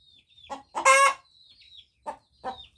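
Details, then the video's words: Hen crowing, a female chicken giving one short, loud, harsh burst that rises and falls, with soft clucks before and after and a faint high whistle in the background. "Suara ayam betina berkokok"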